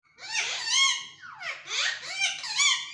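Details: A pet Indian ringneck parakeet mimics a cat: two long, wavering, rising-and-falling meow-like wails over three seconds, nasal and strained.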